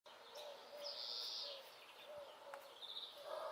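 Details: European greenfinch (Carduelis chloris) singing at a house among a chorus of other birds: a drawn-out, high buzzy wheeze lasting about half a second, faint, with short low whistled notes from other birds and steady background hiss.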